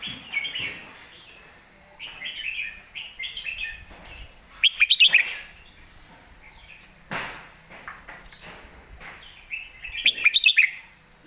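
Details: Red-whiskered bulbul in full loud song, southern master song style. Warbling whistled phrases come in clusters separated by short pauses, with sharp rapid note bursts around 5 and 10 seconds.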